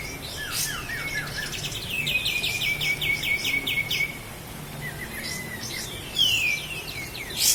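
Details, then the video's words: Sooty-headed bulbul, Lahat, recorded as a master track for training cage birds: busy twittering that turns into a rapid steady run of high chirps, followed by short slurred whistles and a loud falling note. "Masteran Burung Kapas Tembak Asli LAHAT"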